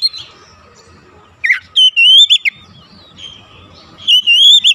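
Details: Oriental magpie-robin singing to provoke other magpie-robins, a lure for the bird: loud clear whistled phrases that rise and wobble, separated by a quiet gap, a faint hum in the background.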